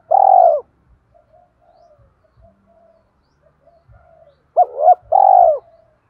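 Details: Spotted dove serving as a lure bird, 'thổ' voice type, calling to prompt wild doves. A long drawn coo, a quiet pause with soft taps, then a double arched coo followed by another long falling coo.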